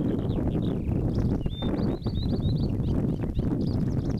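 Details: Pipit in song flight over a field in May or June 2014, Poland: thin high slurred notes and short trilled phrases in quick succession over strong low rumbling wind noise.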